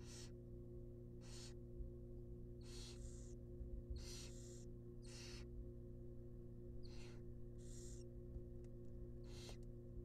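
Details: Nest-box barn owl chicks, wild and being fed a rabbit, produce about a dozen sharp hissing rasps in quick, irregular succession over a persistent low hum.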